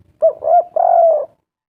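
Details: Spotted dove lure phrase to make doves call: a short hoot, a rising coo and a long level drawn-out coo, close and clean.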